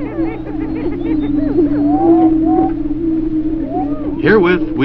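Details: Male greater prairie-chickens (Tympanuchus cupido) in spring courtship display, Missouri, circa 1958: a low, hollow, steady booming moan with overlapping whoops, cackles and rising squeals from several birds at once.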